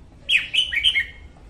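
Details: Morning song of a female red-whiskered bulbul, used to train birds and lure them to traps: a quick series of clear, liquid whistles that swoop up and down, given as one short phrase against faint background hiss.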